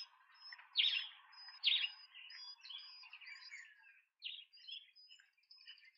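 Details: Large speckled pigeon chicks at a nest in Pretoria, South Africa, on 28 September 2024, give high, wheezy squeaks during feeding: two louder ones close together, then softer trailing peeps, over a faint steady hiss.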